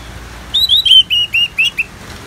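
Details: Orange-headed thrush, 'ngeplong' style song: a sequence of about seven clear whistled notes, each slightly falling or flat, delivered evenly in under one and a half seconds over quiet background.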